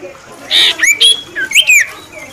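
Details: Cipoh, the common iora, named the winning performer among other birds, delivering a short phrase of bright whistled notes sliding down in pitch, plus a buzzy opening note, with quiet background.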